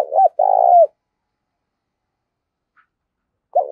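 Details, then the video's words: Spotted dove giving an intense challenge coo meant to make wild and decoy birds answer; one full phrase of a short two-part note and a drawn-out burry coo falling at the end, with another phrase beginning. "Tiếng chim cu gáy thúc đấu rất căng, mở lên bổi và mồi nghe gáy theo cả ngày"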